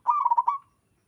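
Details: A local zebra dove gives one short rolling coo, a burst of quick stuttered notes at an even low pitch, lasting about half a second in otherwise quiet surroundings.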